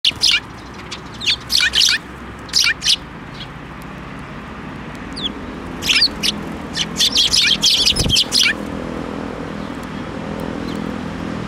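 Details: Several sparrows flying onto a hand to be fed at a Tenmangu shrine on 7 May 2024 give short, sharp chirps in quick uneven bursts, with two clusters separated by a quiet gap and low background rumble.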